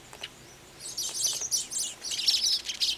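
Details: Asian golden weavers at a nesting colony in wet-area vegetation in Thailand during the March to August breeding season; dense, high buzzy chattering and chirps in overlapping bursts, several birds calling together.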